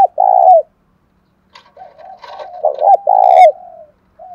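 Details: Spotted dove, ornamental cage bird, đồng thổ voice: one long throaty coo, a pause, then soft low notes building into a stuttered double note and a loud drawn-out coo that trails off.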